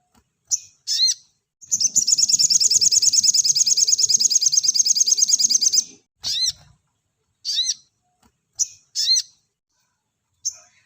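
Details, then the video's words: Sogon song used as a master recording for training cage birds: a long rapid trill of very high, evenly repeated notes lasting about four seconds, framed by short sharp high chirps with falling sweeps, clear and without background noise. "MASTERAN BURUNG SOGON NEMBAK RAPAT‼️SUARA JERNIH"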